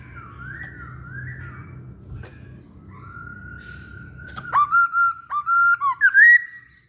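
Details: Masked laughingthrush singing hard, recorded as a lure: after quiet, wavering whistles and background hum comes a fast run of short, punchy whistled notes ending in a rising slur.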